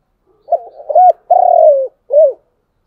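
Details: Spotted dove coo in the chiêu and thúc styles: a faint stuttering lead-in, a short arched note, a long mellow coo falling in pitch, and a closing short arched coo.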